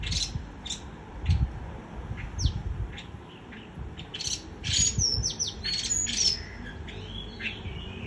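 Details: Soft scattered notes build into a busier passage of white-eye líu choè song, with bright whistled slurs and buzzy chattering bursts, low hum underneath.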